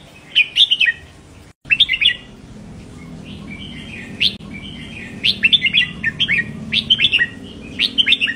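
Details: Red-whiskered bulbul song for stimulating caged birds: a long run of chattering whistled phrases, fast and almost continuous in the second half, with a brief dropout near the start and low rumble beneath.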